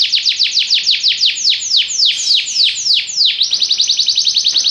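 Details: Song of a Belgian canary: a rolling series of bright, downward-slurred whistles that gradually slow and lengthen, then switch abruptly to a rapid, even, high trill.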